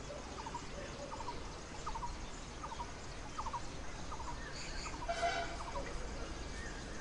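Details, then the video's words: Background calling of a Blue-throated Barbet in the Himalayan foothills in summer, near a Red-billed Blue Magpie nest with four chicks: short grouped notes repeated rhythmically, interrupted near the end by a louder, harsh call from another bird. "With a Blue-throated Barbet calling in the background"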